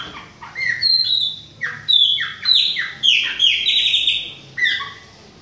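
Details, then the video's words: Chopi blackbird of the Bahia type, a youngster singing with another bird in autumn; clear separate phrases of descending whistles, about one every half second, with short quiet gaps between. "FUMAÇA E FILHOTE PÁSSARO PRETO BAIANO COMANDA OUTONO !"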